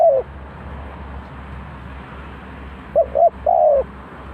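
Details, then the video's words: Spotted dove used as a bird-trap decoy in Ninh Thuận. One falling coo opens the clip, then after a pause of about three seconds come two short notes and a longer coo. A steady low rumbling noise runs throughout. "The Sound Of Dove,เสียงนกเขาใหญ่"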